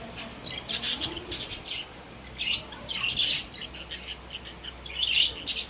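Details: Happy caged budgies, kept as social pet parrots: irregular bursts of shrill squawks and rapid chirps, loud at the start, then a lull, then more clustered chatter repeating every second or so.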